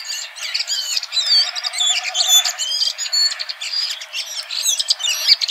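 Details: Continuous, crowded warbling from a red-throated thrush: overlapping squeaky whistles, slurred rising and falling notes and chattering twitters, with no pauses, over light background hiss.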